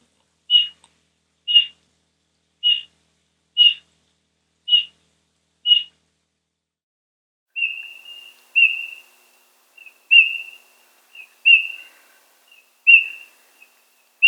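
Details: Eurasian bullfinch, whose song and calls are both presented: six soft, clear piped whistles about one per second, then a run of longer, drawn-out whistled notes that slide slightly, all at a similar mid-high pitch in a quiet setting.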